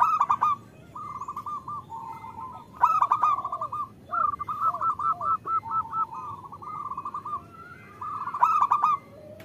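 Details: Calling female zebra dove used to draw males into song. Opens with a loud burst, followed by long chains of short, evenly spaced coo notes, more bursts, and quieter slurred notes beneath.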